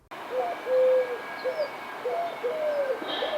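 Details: Eurasian collared dove (Streptopelia decaocto) gives its short song, a soft three-note coo with a longer stressed middle note, heard twice in quick succession over a light background hiss.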